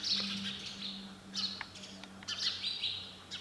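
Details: Short burst of sparrow chirping, thin high notes and a few sharp clicks, with a low hum beneath.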